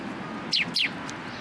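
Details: Sparrow coming to a post for food at a Tenmangu shrine, 9 November 2022: two quick, sharp chirps about a quarter second apart, each sliding steeply downward, over a soft steady background hiss.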